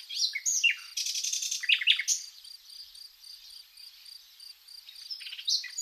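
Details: In Zagorochoria, Epirus, Greece, in spring, a common nightingale gives dense buzzy bursts and falling whistles, then goes quieter while a cricket keeps chirping in steady pulses.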